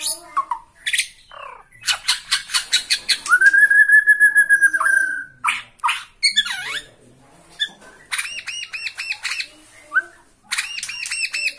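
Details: Bornean white-rumped shama singing with emotion at a rival in sight: sharp chips, a fast rattle, a long sustained clear whistle, then a swooping note and repeated buzzy arched phrases in quick bursts.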